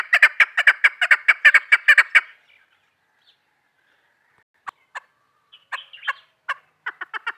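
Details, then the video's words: Female chukar partridge used for hunting, a two-second burst of rapid loud clucks, then near silence with isolated notes, and a fresh run of shorter chuk notes at the end. "shakari awaz madi chakur kiklik conc"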